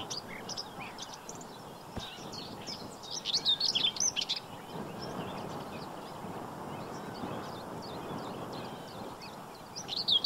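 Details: Black-winged stilt (Himantopus himantopus) in spring, 15 April 2023, at the Séné Nature Reserve in Brittany, gives bursts of sharp, high, yelping call notes midway and again at the end, over a steady roar of wind or distant traffic.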